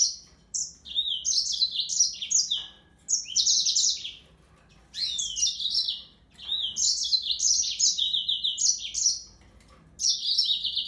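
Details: Song of a yellow-fronted canary: several high, rapid bursts of chirps, trills and twisting whistled notes, each lasting one to three seconds with short gaps between; faint low background hum.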